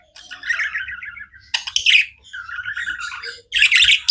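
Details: Pet budgerigars chirping: soft warbled, wavering whistles broken by loud scratchy chirp bursts, a brief quiet gap before a final sharp chatter.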